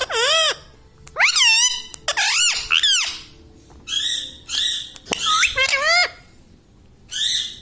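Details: Pet Indian ringneck parakeet, a green talking parrot kept indoors, repeating mimicked words in a series of loud, nasal, rising-and-falling harmonic phrases separated by short pauses, with faint room hum.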